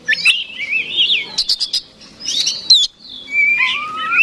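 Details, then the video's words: Oriental magpie-robin kept for fighting, its song meant to goad a rival into a combative puffed-up stance: long rolling slurred whistles, a run of clipped ticking notes, then sweeping whistles ending in a falling tone. "PANCINGAN KACER SUPER BOCOR NGOTOT TARUNG BIKIN LAWAN MBAGONG"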